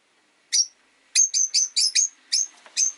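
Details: Rosy-faced lovebird, one of five pets caged at a window, gives a series of about eight shrill, slightly descending chirps, spaced irregularly roughly a quarter second apart.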